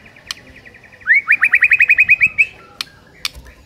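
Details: White-rumped shama (murai batu) song as a morning lure for training a silent bird: a soft rattle, then a quick trill of about a dozen rising whistled notes, with a few sharp clicks afterward.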